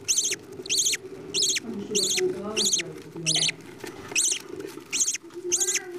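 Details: Budgerigar parents feeding their chicks: about nine evenly spaced, sharp, buzzy begging calls, nearly one every two-thirds of a second, with a low chattering murmur between them.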